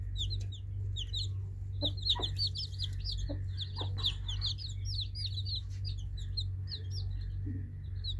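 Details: Baby chicks chirp in a busy flock, rapid high, bent peeps packed closely together, with a few low taps and a continuous low hum behind.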